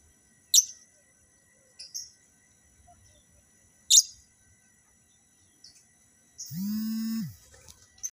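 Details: Lovebirds kept for breeding while being paired for mating: short, shrill, sharp chirps at irregular intervals, three loud bursts and a few softer ones, followed by a brief low steady drone near the end.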